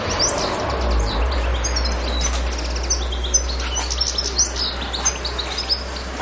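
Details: European goldfinch singing on Pantelleria island, 02/01/2011; a bright tumbling twitter of high chirps and short trills, with sharper notes bursting out roughly every half second late in the clip, over a constant low droning hum.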